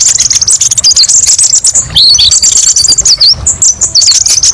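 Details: Kolibri ninja sunbird tutor song with varied 'pedes' shots: dense high trilling, then looping downslurred and upslurred chirps.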